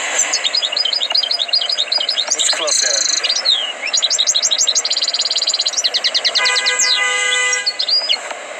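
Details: Trained European goldfinch singing almost continuously with fast, bright twitters and trilled runs, some notes sliding downward, and a steady tonal buzz overlapping near the end.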